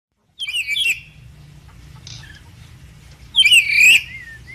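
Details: Red lory, a caged bird said to be learning to sing, gives two loud harsh screechy bursts with a wavering whistled tail, separated by a quiet pause with a faint short note; low background hum throughout.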